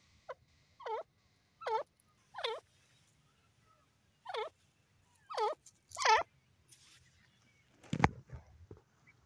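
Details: Female grey francolin calling: a series of harmonic, down-then-up slurred notes repeated about every 0.7 seconds, with soft low background hum and a louder burst of noise near the end.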